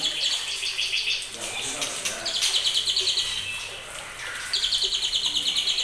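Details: A two-month-old white-rumped shama from a champion line delivers trotolan song: bursts of rapid, high-pitched, chattering repeated notes. Brief gaps hold softer sounds and faint background noise.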